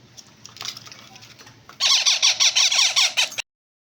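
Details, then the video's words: Several yellow ringneck parrot chicks start with soft scratchy noises, then burst into rapid, loud, harsh squawking notes repeated about five times a second before a sudden cut-off. "Yellow ringneck parrot chicks"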